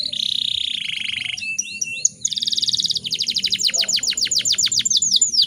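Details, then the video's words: Female canary in breeding condition, used to prompt other canaries into singing: loud, fast song opening with a steady buzzy trill, then looping whistled notes and a rapid series of sharp descending sweeps, repeated several times per second. "PANCINGAN KENARI BAHAN AGAR CEPAT GACORR"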